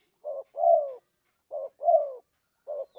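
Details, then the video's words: Spotted dove lure call: paired low coos, a short burry note followed at once by a longer coo that slides downward, the pair repeating about every 1.2 seconds, clean and without other sounds. "suara pikat terkukur"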